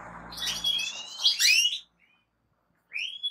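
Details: European goldfinch delivering a rich, buzzy twittering run of rising notes that stops abruptly, followed by silence and one final upslurred whistle.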